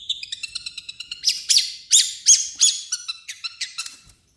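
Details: Mimicking long-tailed shrike: a quick series of thin, even ticking whistles gives way to louder, harsh sweeping chirps and short trilled notes, then fades out at the end.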